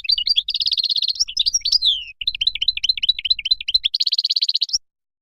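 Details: Extended Moroccan goldfinch singing: a buzzy trill, a couple of falling slurs, a pause, then looping liquid twitters and a closing dense rattling trill.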